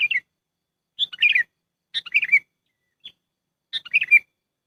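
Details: Sooty-headed bulbul lure call for trapping birds: bubbly multi-note chirp phrases about a second apart, each falling in pitch, with one short isolated peep; background otherwise silent.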